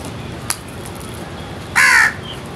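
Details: A single loud, raspy caw from feeding crows, cut short after a brief click, with faint hiss behind.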